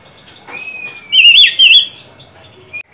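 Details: Oriental magpie-robin song used as a lure to get a silent bird singing: a thin, sustained faint whistle, then two loud, rich warbled bursts with quick pitch wobbles, ending on a short high note.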